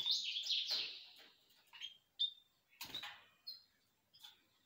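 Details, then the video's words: Canaries singing: a loud, rapid, high warbling trill opens the clip, then breaks into short sharp chirps and isolated notes separated by clattering clicks, with quieter phrases near the end. "طيور الكناري"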